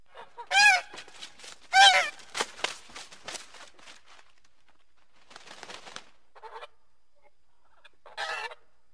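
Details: Goose giving two loud, brassy honks close together, followed by softer chattering notes and a few fainter, nasal honks after a pause.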